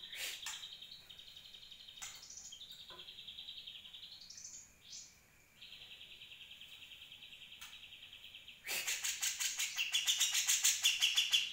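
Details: Grey-cheeked Bulbul recorded in 2020 as tutoring material for other birds. Long level whistled notes and rising slurs give way to a loud burst of rapid harsh chattering notes.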